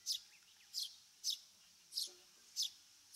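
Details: Eurasian Tree Sparrow, a bird of fields, grassland and watersides in Japan. It gives five crisp, high chirps, each about half a second apart, against a quiet background.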